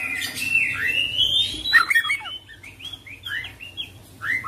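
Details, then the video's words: Oriental magpie-robin, locally called kacer, in full varied song: long whistled phrases near the start, then a series of short rising and falling whistled notes in quick succession, over faint low background hum. "Kacer Full Isian ngerol gacor dorrr"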